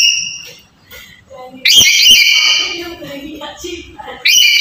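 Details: Black-capped lory sound meant to provoke a reluctant bird to call: one loud, raspy, harmonic screech of about a second after a quiet start, with softer murmuring between, then another screech begins at the end.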